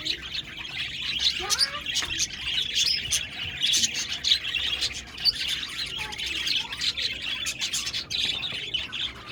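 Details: A group of budgerigars, recorded 1 November 2023, chirps continuously: a thick, bright warbling chorus of rapid ticks, squeaks and twitters overlapping without a pause.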